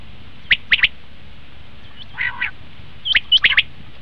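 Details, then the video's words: Common quail calling, a recording used as a hunting lure: two crisp three-note bursts, sharp and quick, separated by a softer buzzy double note. "batair ki awaz"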